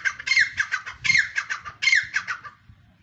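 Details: Grey francolin, locally called teetar or dhakni teetar, giving loud, harsh, grating squawk phrases in three rapid bursts, each a rattling run of notes that drops in pitch, with a quiet rural background.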